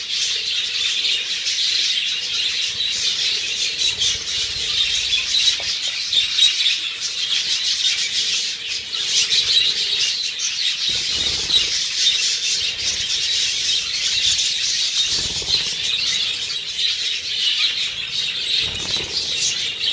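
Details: Budgerigars in a water battle chatter in a continuous, high, scratchy stream of squawks and warbles.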